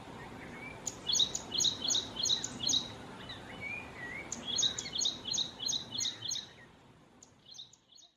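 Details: Ashy prinia calling in Kerala, India: two bursts of rapid, high, sharp chirping notes, each run of about eight evenly spaced notes, then a few fainter notes at the end; low background hum.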